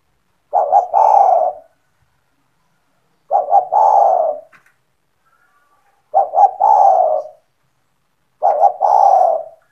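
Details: Spotted dove owned as an eager caller, its coos used to lure other doves: four evenly spaced phrases every 2.5 to 3 seconds, each two quick notes and a sustained deep coo, clean background.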